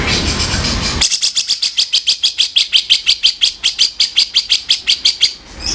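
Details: Grey-cheeked bulbul giving its kasaran, a rough harsh vocal used as tutor material: a fast series of raspy, buzzy broadband notes, about three per second, after a second of faint background hiss.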